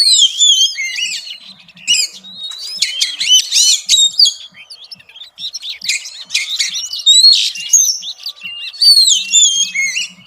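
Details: Female Oriental magpie-robin singing in the xùy style to stimulate males: a busy stream of high, sweeping whistles and scratchy chirps in bursts, with short pauses between phrases.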